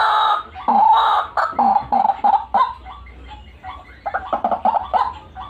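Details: White-breasted waterhen calls in a recording used to lure birds: short, nasal, croaking notes in uneven bursts, some slurred upward, several per second, fading into a quieter, scattered chatter toward the end.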